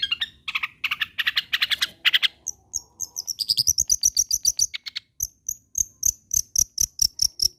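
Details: Long-tailed shrike singing persistently as a lure for other shrikes: grating chatter bursts at first, then a fast series of thin, high whistled notes repeated evenly, about three per second, until the end.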